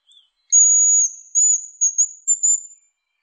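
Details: Piercing, thin whistles from a hazel grouse: a long level note held for about half a second, followed by a wavering phrase and a rapid set of short high notes ending in a drawn-out trill, against silence.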